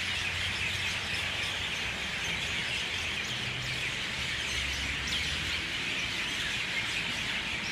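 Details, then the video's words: A flock of mynahs in dawn chorus, starting to leave the trees: a dense, continuous wash of overlapping chattering, squeaky and whistled calls, with a faint low rumble underneath. "Dawn chorus of Mynah birds"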